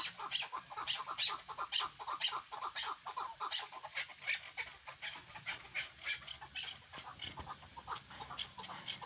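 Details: Hunting partridge (chukar) calling in rapid, uneven chuk-chuk clucks, about two per second, somewhat ragged in rhythm, with faint low background hum.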